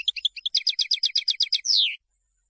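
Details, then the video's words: Song of a European goldfinch meant for teaching fledglings: a few tinkling chirps lead into a steady, rapid trill of about ten repeated notes, closed by a long buzzy downward slur. "تغريد الحسون لتلقين الفراخ"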